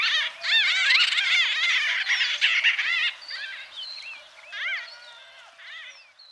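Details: White-fronted bee-eaters in Kenya chatter in a busy chorus of quick, nasal, arched squeaks, dense for three seconds and then thinning to scattered single calls.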